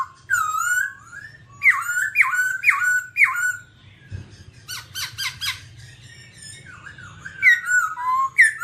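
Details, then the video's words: Babbler of the family Timaliidae, described as all black, singing: loud whistled notes near the middle pitch range, each sliding down, in quick uneven runs, with harsh buzzy bursts midway and a steady low hum beneath. "birds Timaliidae singing"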